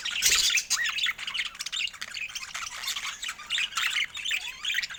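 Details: A group of budgerigars chirps over fresh food in Scandinavian daylight, a busy stream of grating squawks, short rising whistles and chattering notes overlapping without pause.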